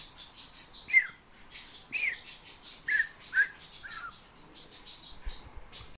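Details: Fieldfare (Turdus pilaris) gives its song: five short squeaky, chattering notes about a second apart, mixed with scratchy, rasping bursts higher up and faint background noise.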